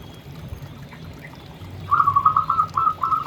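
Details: Local zebra dove singing vigorously: after a faint, quiet start, a quick run of short, even cooing notes begins midway and repeats about four times a second to the end, over low background hum.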